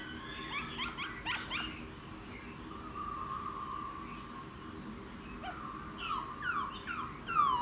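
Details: Newly caught wild laughingthrush singing after bathing: a burst of sharp stacked whistles, then a soft sustained note, later rising whistled phrases ending loudly.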